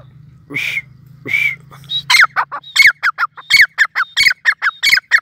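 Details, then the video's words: Grey francolin, locally called Sindhi teetar, calling: two drawn-out harsh notes, then a loud, fast run of grating notes, about three a second, for over three seconds. A low engine-like hum sounds at the start. "gray francolin calling"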